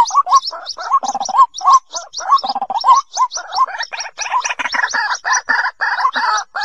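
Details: White-breasted waterhen lure recording used by trappers in the 2020 season: dense, gargling series of rapid upslurred croaks, overlapping and running almost continuously, with brief low rattles underneath.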